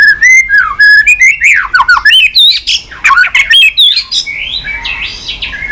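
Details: White-rumped shama singing a long, varied fighting song: quick bursts of shrill whistles, clicks and twittering phrases, changing pitch constantly, some notes harsh and squawky.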